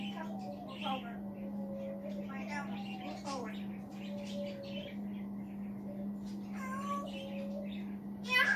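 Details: Male pet African grey parrot talks to himself from a chair indoors, producing quiet speech-like mumbling mixed with short whistled glides and clicks, a brief squeak at the end, over a constant low hum.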